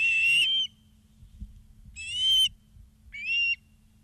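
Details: Osprey at Charlo, Montana, 2 September 2023, afternoon, live camera: three separate shrill, whistled calls, each falling slightly in pitch, spaced about 1.5 seconds apart, with quiet hum between them.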